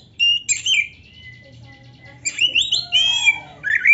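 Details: Oriental magpie-robin singing loudly, played to make other birds respond: a sharp whistled burst, a thin held note, a pause, then rich slurred whistles with buzzy overtones.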